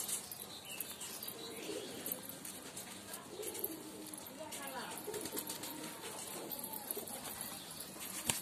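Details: Domestic pet pigeons give soft, low murmuring coos, with wings flapping and a person's voice nearby.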